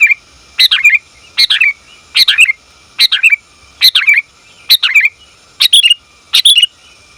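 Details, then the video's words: Female sooty-headed bulbul calling to the male, a recording used to lure and train bulbuls; bright chirpy phrases of several quick notes, each dropping at the end, repeated about every three-quarters of a second. "Suara Burung Kutilang Betina Memanggil Jantan"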